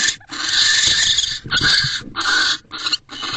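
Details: Barn owl inside a nest box, December 2023 night, mating visit; long, loud, high rasping screeches with short gaps and a few clipped final bursts.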